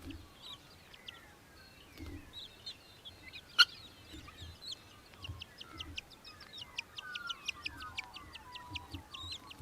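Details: Australian hobby (Falco longipennis) in Victoria, Australia, December 2023, giving a rapid, high chattering series of sharp notes quickening toward the end, with other birds' whistled, sliding calls behind.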